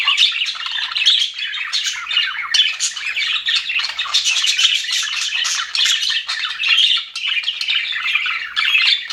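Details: Happy budgerigars in an aviary, giving steady, crowded chatter of grating squawks and bright chirps that overlap without break.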